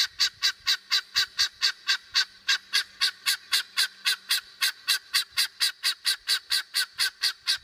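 A helmeted guineafowl gives a harsh, grating chatter of identical notes, about four a second, steady and unbroken throughout.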